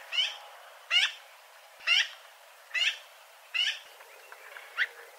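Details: Eurasian magpie giving harsh, raspy single calls, about one per second, six in all, the last one shorter and weaker, against a quiet background.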